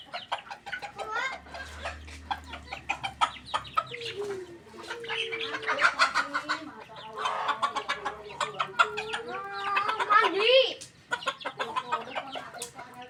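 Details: Domestic chickens being fed, a flock calling together: dense repeated clucks and short squawks, with several drawn-out rising and falling wavering notes mid-clip and a sharp squawk near the end.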